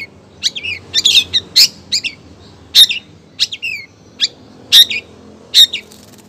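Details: Long-tailed shrike, a female calling for a male, delivering varied chattering phrases: quick downward slurred whistles, harsh rasps and sharp chips, spaced irregularly over six seconds.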